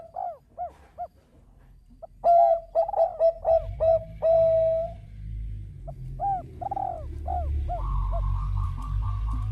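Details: Bangkok zebra dove in full song, meant to lure other birds to call back: arched coos, a loud burst of fast rolling notes, then more coos while a low hum and rising noise fill the background.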